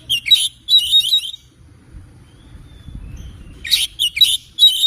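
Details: Oriental magpie-robin in the morning, singing two bursts of rapid, scratchy whistled notes with a silent gap of about two seconds between them.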